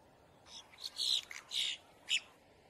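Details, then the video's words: Harsh, grating bursts from a boat-tailed grackle in distress, alarm or warning: several rasping notes of uneven length in close succession, ending with a brief sharp squeak, with little other sound. "Grackle bird call / song / sound | Boat tailed"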